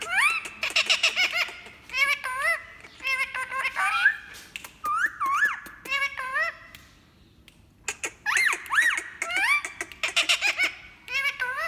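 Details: A green Indian ringneck (rose-ringed) parakeet, a talking parrot, chatters in quick bursts of speech-like syllables, rising and falling squeaks, and laugh-like phrases, with brief pauses between runs.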